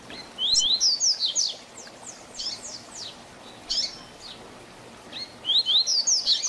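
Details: Double-collared seedeater giving its Tui Tui Zel Zel Diferenciado tutor song for young birds. A loud fast string of bright downslurred whistles opens, softer slurs follow, then the rapid phrase returns at the end.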